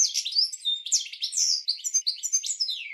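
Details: Goldfinch song used to train cage birds, one continuous bright twittering stretch of slurred, sweeping notes and liquid chirps in quick succession, clean with no background sounds.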